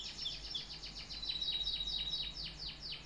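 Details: A canary delivers rapid rhythmic descending sweeps, about four per second, overlaid by a thin steady high whistle.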